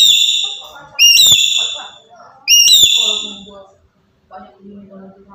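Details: Black-capped lory from Papua giving loud calls meant to spur other birds into calling: two harsh, ringing, harmonic shrieks about a second and a half apart, with low muttering notes between them.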